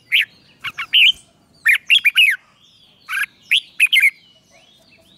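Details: Red-whiskered bulbul singing in the morning, a training recording in the ché style: short, sharp, warbled phrases of three to four liquid notes, separated by brief pauses in a quiet setting.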